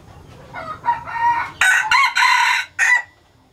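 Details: Rising squawky notes lead straight into a forceful junglefowl crow from a hybridized Laos-strain breeding male, three tight rasping segments ending in a short tail note.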